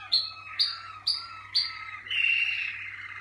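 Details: Malinois Waterslager canary singing in its song cabinet on first outings. Four sharp chip notes come about every half second, then a buzzy rolling trill, with a low hum behind.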